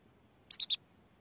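A goldfinch mule gives three quick, bright, high chirps in a tight burst.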